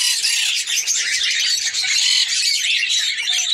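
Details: Red-crowned parakeet (kakariki), a female ready to mate, giving a continuous stream of shrill, scratchy chatter with brief dips in loudness and no pause throughout.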